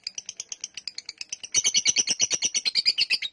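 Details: Lovebird in a long 'ngekek' chatter, a fast, shrill, rattling series of high notes that grows louder and denser partway through.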